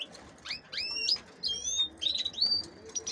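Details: Caged female canaries intended for hybrid breeding with goldfinches give several overlapping high, slurred whistles, some long and level, others short and rising, in a busy stretch of chirping.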